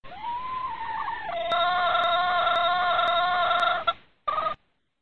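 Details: Red junglefowl hen in breeding season calling to a rooster with one long, steady, nasal note that swells slightly, lasts nearly four seconds, and is followed by a short clipped cluck.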